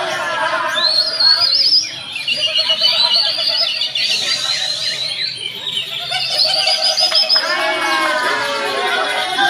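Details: Greater green leafbirds singing during a judging session at a practice bird-singing contest: dense, overlapping bright whistles, rapid chattering trills and sweeping phrases from several birds at once, with faint human voices beneath.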